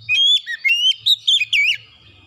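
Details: Oriental magpie-robin song used to coax birds into singing: rapid run of bright whistled notes, upward flicks and wavering slurs in quick succession, fading out after under two seconds over a low hum.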